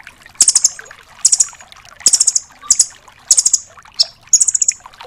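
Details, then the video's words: Velvet-fronted nuthatch recording meant to tutor songbirds: five or six high, machine-gun trills of quick repeated notes, each burst spaced just under a second apart. "MASTERAN BURUNG RAMBATAN DORAEMON FULL TEMBAKAN"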